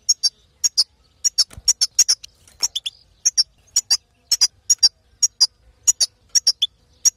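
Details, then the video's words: Calls of a female European goldfinch, used to push a male into strong song and also in trapping; a long series of bright, high chirps in twos and threes, with short pauses between bursts and a few lower buzzy notes. "ستسته انثى الحسون لتحفيز وتجهيز ذكر الحسون"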